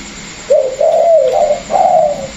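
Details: One of two caged Vietnamese spotted doves, a former decoy and a newly caught wild bird, delivers a brief low coo phrase: a sliding opening note followed by two longer, gently wavering coos.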